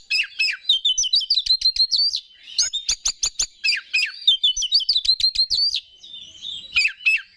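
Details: Oriental magpie-robin, kept as a competition songbird, sings fast, rattling, stuttered phrases. Bursts of rapid repeated notes alternate with whistles. Tapping clicks can be heard underneath. Meant to provoke other magpie-robins.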